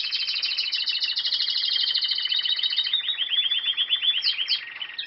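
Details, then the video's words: Canary singing a long rolling trill of fast repeated notes, switching midway to a different slurred, descending roll, with a few clipped notes at the end. "cantos nuevos de canarios"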